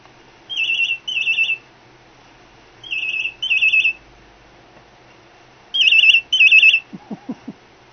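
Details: Pet cockatiel imitating a ringing phone indoors: three pairs of warbling, trilled bursts, each pair about a second long, like an electronic ring, followed by a few soft low clicks.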